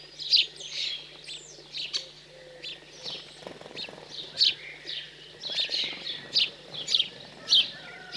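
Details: House sparrows, fledglings being fed, cold central French countryside, June 2020: rapid, uneven series of grating chirps, sometimes nearly two a second, with faint background bird calls.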